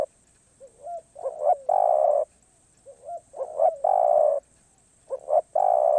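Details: A spotted dove sings its 'karom pa roi' song out of cue. Faint gliding notes lead into two short coos and a long held coo, three phrases in all, separated by near silence.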